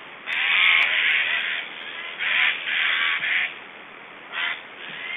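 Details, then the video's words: Black storks in Estonia during feeding on 1 July 2012 produce unusual noises: gravelly, hissing rasps, a long one first, then several shorter bursts and a lone rasp near the end. "Estonian Black Storks - Strange sounds and feeding"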